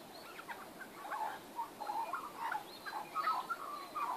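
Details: Magpies in a backyard on 19 April 2014 give soft, quiet warbling with gurgling, wavering notes that rise and fall in short, uneven phrases against a faint background hiss.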